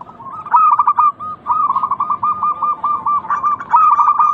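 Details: Local zebra dove used as a lure to stimulate other doves to coo: a quick burst of stuttering notes, then a long string of even, beaded coos near one pitch, closing with another rolling flourish.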